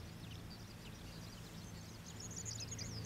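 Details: Oriental pratincoles at Xinyuan, Taiwan, giving brief high chirping notes that build into a louder burst of sharp chattering near the end, against a steady low rumble.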